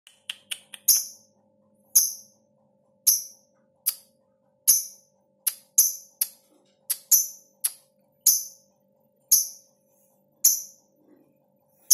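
Sharp, uneven percussive taps with a bright jingling ring sound about once a second over a faint steady hum, and no animal voice is heard.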